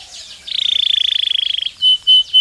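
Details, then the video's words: Belgian canary used as training stimulus song: a half-second burst of descending notes, then a long rapid buzzy trill held at one pitch, followed by three short pure whistled tones. "Som de estímulo que faz o canário belga responder imediatamente ao treino"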